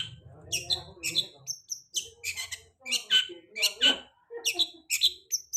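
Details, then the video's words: Lure song of a long-tailed shrike, played to make a bird sing after molting: quick, harsh, high chirps and whistled accents in uneven bursts, with a low human voice heard at the start. "Pancingan cendet habis mabung pasti bunyi"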